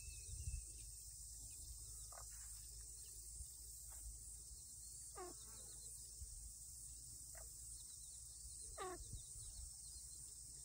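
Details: Pheasant chicks on a lawn in 2023 that had wandered all over the place, the mother in distress; faint, sharply descending chirps at irregular intervals, with a steady high hiss throughout.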